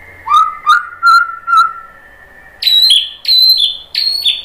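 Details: A white-rumped shama sings to provoke other birds: low steady whistled notes in a short series, then three loud high whistles that slur downward.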